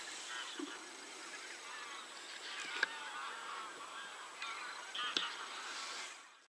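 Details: Geese in a dense chorus of overlapping nasal honks, with a couple of sharp clicks, fading out at the very end.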